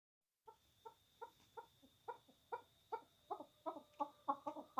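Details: Pet chukar partridge, angry during a fight, gives a series of low, clucking chuk notes about three a second that grow louder and faster over a thin steady whine.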